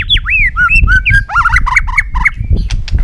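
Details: White-rumped shama singing a varied, fluid song of looping whistled phrases, slurred up and down, followed by a run of quick clipped notes; low rumbling background noise throughout.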